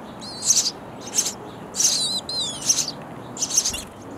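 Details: Nestling sparrows in a bird house begging while parents deliver insects; harsh high chirps mixed with wavering squeaky notes, in five loud bursts.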